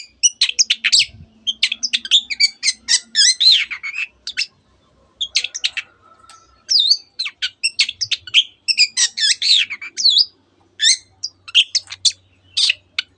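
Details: Long-tailed shrike singing with canary and many other birds worked into its song: long bursts of rapid chirps and twitters broken by short pauses, with a faint low hum in places.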